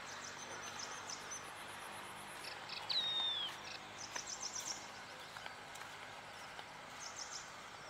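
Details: Yellow-eyed babbler near a farmhouse in India gives a single clear, high whistled note that slides gently downward, over steady buzzing insects and faint rural background noise.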